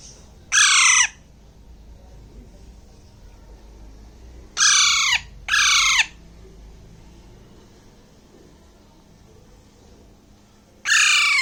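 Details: Baby Alexandrine parakeet, a month and a half old and hand-fed, calling while eating grapes in Bangladesh: four harsh, grating squawks, two close together in the middle, separated by quiet gaps of several seconds.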